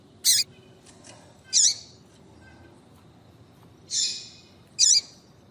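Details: Female double-collared seedeater (coleiro), calling to stir a male to sing: four short, sharp, high chips, two close together and then two more after a pause, over a quiet background hiss.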